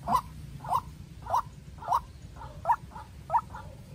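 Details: White-breasted waterhen decoy, farm-raised, confronting a wild bird: clipped mid-pitched notes, some doubled, spaced roughly every half second over a low background hum.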